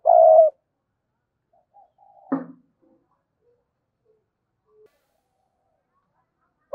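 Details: Caged spotted dove used as a decoy gives one short, full coo. A sharp knock follows, then near silence.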